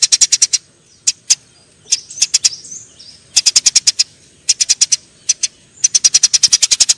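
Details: Eurasian tree sparrows in a fight: dense volleys of piercing chirps, each burst of five to ten notes in quick succession, broken by short silences and a few soft squeaks.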